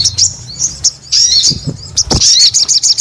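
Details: Brief high chirping from a crescent-chested babbler, quick tweets and a rising whistled phrase, ending in rapid twittering.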